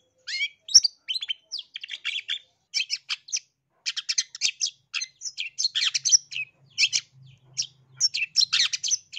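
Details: Long-tailed shrike of the East Java type, used as a lure and tutor recording to make other shrikes sing aggressively: dense bursts of harsh, scratchy high notes and short chirps follow one another quickly, with brief gaps and a faint low hum.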